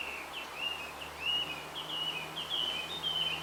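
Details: Male blue rock thrush calling for a female on a bamboo hill: clear, warbling whistled phrases, some sliding up or down, given in a quick, uneven run over steady background hiss.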